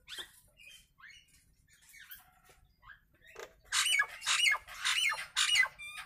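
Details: Natural calls of a Nias hill myna, recorded as a master for training birds: scattered thin whistles and clicks, then a run of five loud harsh rasping squawks in the last half.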